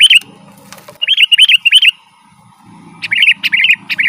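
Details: Sooty-headed bulbul giving a lively, rolling song, used to lure wild birds in the forest and to train home birds. Short bright chirpy notes come in quick bursts of three or four, one burst early and one late, over a low hum.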